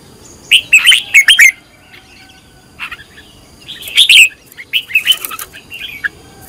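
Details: Red-whiskered bulbul, a bird kept for training as a singing decoy, gives short bursts of bright, warbled whistles around two seconds in, then a second slurred, rising-and-falling phrase after a quiet gap.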